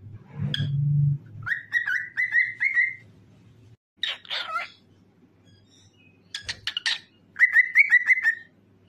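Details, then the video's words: Cockatiel singing and dancing, delivering a string of choppy whistled notes at an even pitch, interrupted by raspy squawks, then a second fast whistled run; a low thump sounds at the start. "Famous Cockatiel Singing and Dancing"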